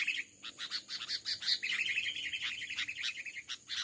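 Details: Wild male Sooty-headed Bulbul, aggressive, attacking a decoy bird in rubber-plantation scrub: nonstop rasping, bubbly chatter of quick notes, loudest in the middle, with short gaps at the start and near the end.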